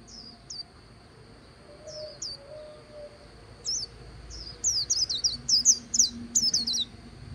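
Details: White-eye by the Kỳ Cùng River singing 'líu' style: scattered high chirps at first, some spaced seconds apart, building into a quicker cluster of bright, slurred twittering notes near the end.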